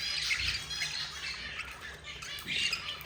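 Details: Budgerigar chicks, four babies, being fed by their yellow mother; continuous harsh, raspy squawking in overlapping bursts with a slight pulsing quality, loudest near the start and end.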